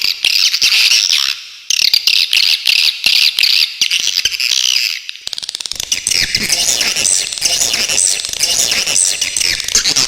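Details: Clear swiftlet tutor recording with sharp 'besetan' phrases: shrill, high twittering chirps in fast bursts for about five seconds, then fainter chirps over a broad hissing background.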